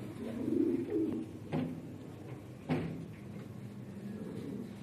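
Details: Red Lahore Siraji fancy pigeons give low, soft cooing murmurs in the first second, with a couple of sharp knocks or flutters later in a small enclosed space.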